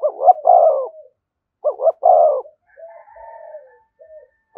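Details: Spotted dove near a decoy bird giving thúc gù calls: two strong stuttering coo phrases followed by softer drawn-out murmuring coos, another phrase starting at the end.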